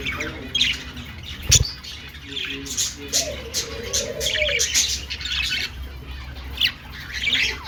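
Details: Budgerigar singing and dancing, giving scattered high, bright chirps and short squawks separated by brief pauses, over a low background hum and a faint lower tone.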